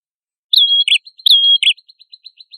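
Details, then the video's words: Prenjak kepala merah singing energetically, used as training material for songbirds: two long whistled phrases, each ending in a lower buzzy note, followed by a fading series of quick soft ticks repeated about every tenth of a second. No other sounds. "MASTERAN PRENJAK KEPALA MERAH GACOR"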